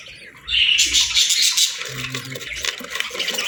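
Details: Young budgerigars chirp as they beg for food. A brief thin call comes first. A dense, harsh, rasping chorus then starts and carries on without a break, with a faint low hum in the middle.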